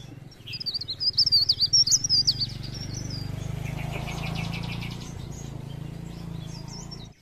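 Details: Chestnut-capped laughingthrush singing energetically as a lure for trapping: fast, high, wavering whistles for two seconds, then a buzzy rattling trill over a steady low hum.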